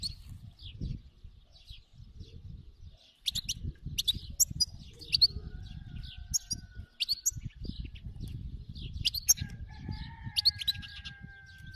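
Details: European goldfinch, described as a wild bird, giving a song of sharp high twitters and short chirp clusters in repeated bursts, over steady low-pitched background rumble and a faint sustained tone near the end.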